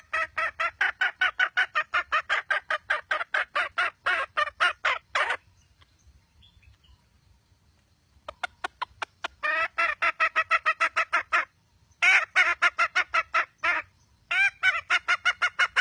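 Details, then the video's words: Wild red junglefowl hen calling: a fast run of sharp, harsh clucks, about three a second, breaks off after five seconds, then resumes after a near-silent pause in broken bursts with short gaps. "Suab poj qaib qus seev zoo"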